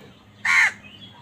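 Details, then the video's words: Angry crow fighting wild birds for food, giving one loud, harsh caw of about a quarter second, rough and broadband, against quiet background noise. "Angry kawa ki awaaz Wild birds fight with crows for food"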